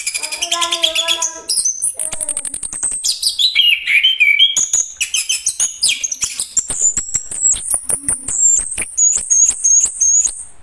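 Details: Chestnut-capped thrush in an extended, varied song: a lower harmonic phrase opens, followed by slurred descending whistles and a long string of quick high chips and thin whistled notes.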